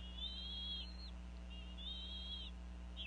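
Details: Bald eagle female in Northeast Florida vocalizing over a fish at the nest during an afternoon feeding of eaglets; two long, high, piping whistles, each slurring downward at the end, then a short third note, over a low constant hum.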